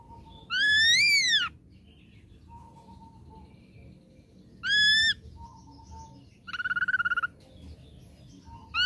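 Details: Ashy drongo song used as a lure to provoke a response: loud steeply rising whistles with sharply dropping ends, soft low whistled notes between them, and a brief quavering trilled phrase.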